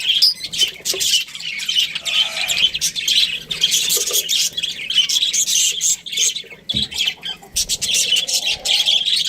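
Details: Breeding pair of Australian budgerigars chirping: clustered high twittering and harsh squawky notes in bursts, with brief quieter gaps between runs.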